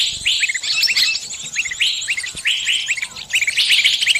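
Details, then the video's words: A trapped bird summoning its flockmates with sharp upslurred chirps in quick clusters, other high twitters filling the gaps between them. "Suara burung kejepit & mintatolong ke teman teman nya"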